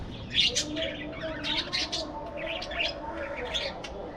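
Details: Breeding-colony budgies twitter in quick succession, short bright chirps and chattering warbles tumbling over one another without pause.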